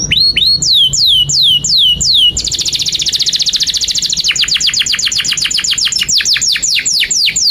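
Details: Canary in long, continuous gacor song with cuit cuit nembak phrases, used to tutor young canaries and ones that have stopped singing. Repeated sweeping whistles dropping from high to mid pitch, then a dense buzzy high trill, then fast downward-sweeping notes.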